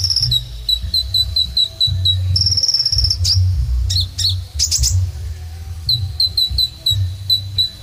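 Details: Sunbird (kolibri ninja) singing hard: regular strings of tiny high double pips, a buzzy sustained trill, then sharp rising flicks before the pips resume, with a low hum underneath.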